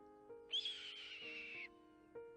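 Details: A Red-tailed Hawk gives one hoarse, high scream lasting about a second, slurring slightly downward, over soft background music; this is the scream often dubbed over eagles on TV.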